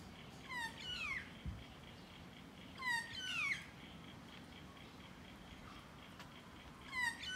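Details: Magpie met at close range, giving nasal, downward-sliding whining calls, several in close pairs, with a pause before a final call near the end.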